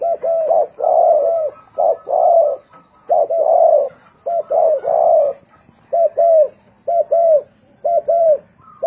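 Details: Dove song in a singing competition, from a decoy bird offered for sale: repeated rounded cooing notes in groups of two or three, low and mellow, each burst followed by a brief pause.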